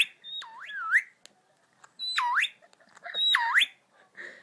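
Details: Pet Indian ringneck parakeet, a male, talking to himself: three loud whistled phrases, each a long high note swooping down and back up in a deep U-shaped glide, about a second apart, with faint clicks between.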